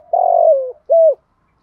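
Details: Spotted dove coo played to lure and provoke wild doves: a long, slightly descending, hollow coo followed after a short gap by one brief, clipped coo, with clean silence around the notes.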